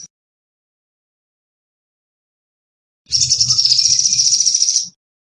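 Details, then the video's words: Sunbird, locally called sogon, singing vigorously: one high, buzzy, rapid trill lasting about two seconds, starting mid-clip after silence, with a faint low rumble underneath. "Sogon Gacor!! Master, Pikat & Terapi air"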